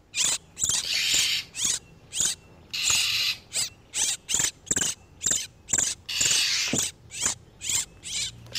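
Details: Lure sound of oriental magpie-robins, male and female in breeding condition, for catching wild birds: rapid series of harsh, ratchet-like buzzy notes alternating with longer rasping bursts.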